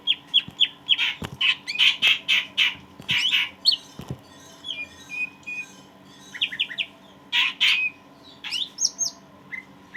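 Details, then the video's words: Cage-kept greater green leafbird in full voice, a recording meant to provoke stressed leafbirds: dense rapid bursts of harsh chattering notes, then varied clear whistles and short trills with brief pauses, plus a faint steady hum. "Cucak ijo gacor jamtrok cocok buat pancingan"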